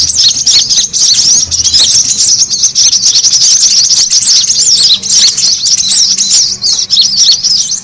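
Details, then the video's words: Lure recording of rowdy brown-throated sunbirds to pull other birds close: fast, high, piercing chirps and trilled twitters pile up densely, with brief dips in loudness. "SUARA PIKAT KORLAP RIBUT AMPUH BURUNG SEKEBON AUTO NGUMPUL"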